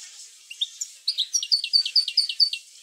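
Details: European goldfinch singing to spur other goldfinches into song: after a few soft opening notes, a run of quick, clear, liquid chirps falls in steady succession against a faint hiss.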